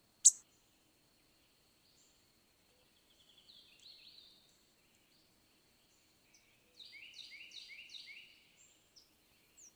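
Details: Black-and-white warbler (Mniotilta varia), song.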